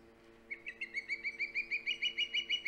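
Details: At its Hog Island nest, live camera, 3 September 2019, an osprey starts a fast string of high, whistled chirps that climb slightly in pitch and grow louder, about six per second, over a steady hum.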